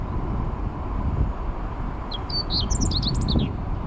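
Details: Meadow bunting singing beside a river embankment on 29 May 2021, recorded while cycling past: after a long stretch of rumbling low wind or road noise comes one quick phrase of sharp, high, varied notes, closing in rapid twittering.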